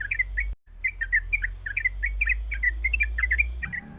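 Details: Female sooty-headed bulbul calling the male during breeding readiness: quick bubbly chirps, a brief silent gap near the start, then steady chattering notes over a loud low hum.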